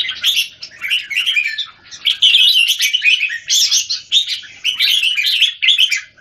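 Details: Red-whiskered bulbuls kept in cages in Singapore, one bird set against several others, 17 January 2019; busy, tumbling warbles and chirps run almost continuously, swelling in loudness from the second second onward.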